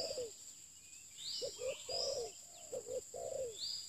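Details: Spotted dove, a new decoy bird used for luring, giving low cooing phrases of two short notes then a longer falling coo; other birds chirp high above and a steady thin whine runs throughout.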